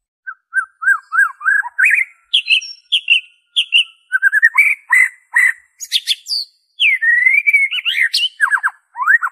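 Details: White-rumped shama (murai batu) song, original with no mimicked phrases, used to coax caged birds into singing: varied whistled notes, rising slurs and sharp chips in quick succession, some phrases sweeping upward, clean background.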